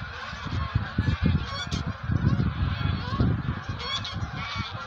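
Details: Wild geese getting ready to migrate, a flock giving overlapping honks with harmonic bands, over a heavy low rumble of wind and handling noise.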